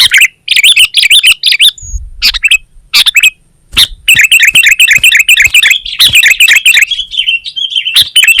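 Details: Kutilang, or sooty-headed bulbul, in loud gacor singing: dense runs of harsh chirps and short warbled phrases, briefly interrupted by a low thump, then a continuous chattering stretch toward the end.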